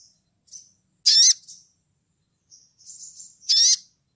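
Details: Sunda bush warbler (sogon) calling to a rival: two loud, sharp, high, slurred notes roughly two and a half seconds apart, linked by thin soft whistled notes.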